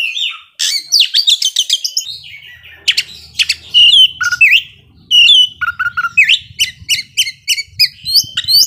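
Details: Oriental magpie-robin singing excitedly in an agitated display, meant to provoke sluggish rivals; fast varied chatter, looping whistled slurs and sharp repeated notes over a faint low hum.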